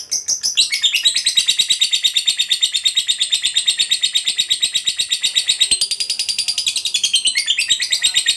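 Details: Lovebird delivering a long 'ngekek' chatter, used as a lure so other lovebirds start chattering quickly. An unbroken, rapid, high-pitched pulsing trill runs for over eight seconds, shifting a little higher near the end.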